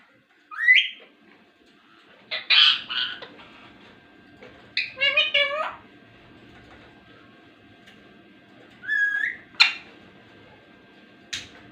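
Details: Talking ringneck parrot indoors: a rising whistle, harsh speech-like phrases, a stacked multi-syllable word, and a few sharp clicks between quiet gaps.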